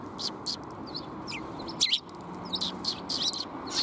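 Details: Sparrows arriving for food on 20 March 2021 give scattered sharp, high chirps, some in quick pairs, with a brief louder cluster near the middle over a low constant hum.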